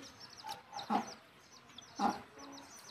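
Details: A mother hen calls as she takes her chicks back to the nest for roosting: two low, rough clucks a second apart over a steady scatter of thin, high chick peeps.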